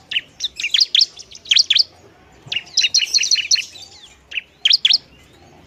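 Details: Ciblek, the bar-winged prinia, singing a noisy song meant to rile other prinias; dense clusters of shrill, buzzy chirps, a brief lull, then further choppy bursts of high notes.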